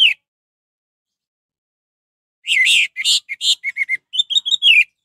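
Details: An orange-headed thrush (anis merah), recorded as a lure to excite other thrushes into singing, gives a quick, varied run of high, rich whistled phrases and chirps after a brief opening note and a pause.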